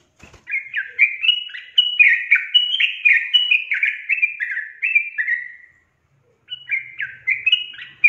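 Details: Chattering sooty-headed bulbul song used to stimulate lazy birds to sing: a long string of quick, warbled notes stepping up and down, a pause of almost a second, then the phrase starts again.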